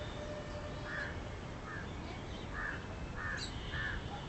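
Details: Feeding western swamphen with chicks calls in five short, nasal, rasping squawks, the last three close together, against a steady hiss of outdoor noise.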